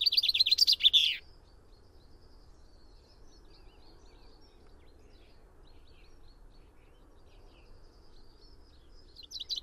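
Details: Brief loud burst of common chaffinch song at the start, a fast descending trill, followed by long quiet with faint distant bird chirps, and the next phrase beginning just at the end.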